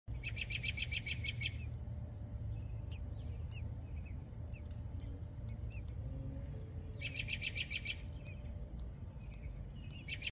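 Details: Newborn American robin nestlings being fed at the nest give two bursts of rapid, high, thin peeping, with a few scattered chirps and a steady low rumble filling the gaps between bursts.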